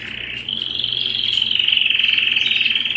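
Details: Canary singing at home, holding one long, steady high rolling trill of very rapid repeated notes for the full three seconds and growing slightly louder toward the end.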